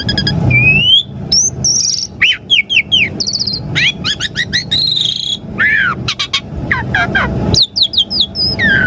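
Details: Asian pied starling song to make caged birds respond: a long rich medley of rising whistles, repeated curved chirps, buzzy notes and slurs, with hardly a pause.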